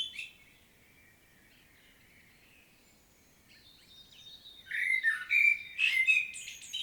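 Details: Blackbird recorded in Świnoujście, Poland, on 25.09.2022: a faint whistled phrase fades into near silence, then a loud, fluted warble with chattering high squeaks bursts in over the last two seconds.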